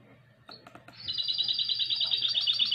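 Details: Goldfinch × canary hybrid singing in the classic style, recorded in 2020: after a few soft chips, a loud, bright, rapidly trilled phrase starts about a second in and carries on steadily to the end, with low room hum beneath.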